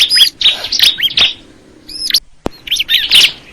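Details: Short stretch of crystal ciblek song: a few shrill, twisting chirps, a quiet gap, a single sharp click, then another cluster of high, squeaky notes.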